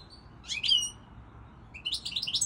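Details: Goldfinch gives a short, bright phrase of rising, tinkling notes, pauses briefly, then starts a quick run of high twittering chirps.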